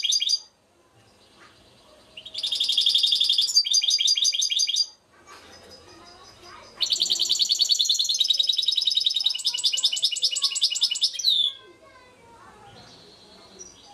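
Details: Goldfinch singing at Šuto Orizari, local name trnan: loud bursts of fast, high, buzzy twittering separated by quiet gaps with low background murmur, the second long phrase ending in a downward whistle.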